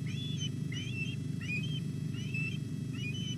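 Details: Osprey chicks at the Llyn Clywedog nest, Wales, calling while a whole fish is brought at 06:40 on 27 July; thinner, quicker whistled chirps, some slurred downward, repeated several times against a loud low background drone.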